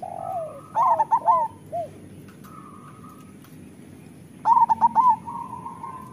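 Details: Zebra dove (local perkutut) recorded as a master song for lazy or moulting doves: two loud rolling phrases of quick warbled coos about 3.5 seconds apart, with low single coos and a flat whistle between.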